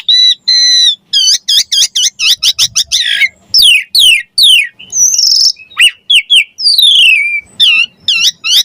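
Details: Rich, varied gacor song of the Javan pied starling: clusters of rapid ringing whistles, swooping downslurs, a harsh buzzy note and long falling whistles, nearly continuous throughout.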